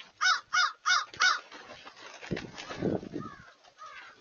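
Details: Crows gathered in great numbers, 31 January 2023: four loud, evenly spaced harsh caws in quick succession, followed by low rumbling noise and fainter distant caws.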